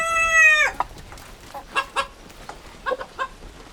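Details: End of a rooster's crow, a held harmonic note that drops off sharply, followed by scattered short clucks and pecking sounds.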